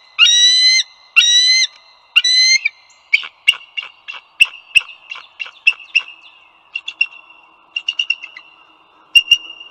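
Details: Bald eagles near the Dulles Greenway in northern Virginia, USA, 16 April 2022, 08:55. Three loud rising whistled notes give way to a run of short, sharp chittering chirps, uneven in spacing, above a faint steady high tone.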